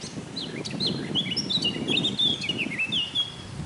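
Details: Eurasian blackcap singing a varied, fast warble of short fluting and slurred notes, rising and falling, over a steady low rumble of background noise.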